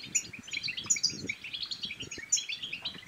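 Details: Short burst of European goldfinch song meant to excite males into singing and females into mating: liquid, tumbling high chirps with three piercing bright notes, over faint low rustling.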